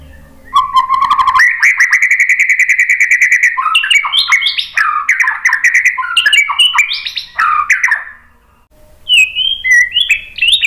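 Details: Loud, rich song of a white-rumped shama, used to coax another bird to reply. Low whistles lead into a long buzzy trill with clicks, then jumbled, jumping whistled phrases and short higher notes.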